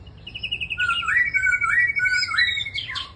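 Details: Red-whiskered bulbul among singing birds: a rapid string of short high notes leads into long, smooth, wavering whistles that climb and dip, ending in an abrupt burst of sharper notes.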